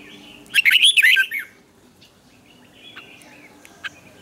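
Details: Training song of a red-whiskered bulbul in the morning, delivered in the double-note twisted style: a loud, fast, liquid warble lasting under a second, followed by soft scattered chirps and a faint hum.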